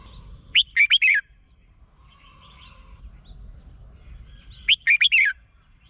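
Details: Red-whiskered bulbul, a caged bird in Thailand, sings a song used to stir up other caged birds: two short bursts of four rich, slurred whistled notes roughly four seconds apart, faint chirps in between, low steady rumble beneath.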